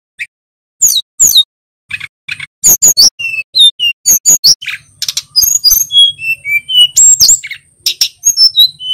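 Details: Male little pied flycatcher singing: sharp high clicks and chips at first, then thin whistled notes and quick chirpy phrases, with a faint low hum beneath.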